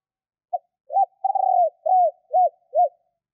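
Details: Female spotted dove used as a decoy, calling to lure males. One low cooing phrase: a short clipped note, a long rough rolling coo, then four arched, evenly spaced coos. The background is silent.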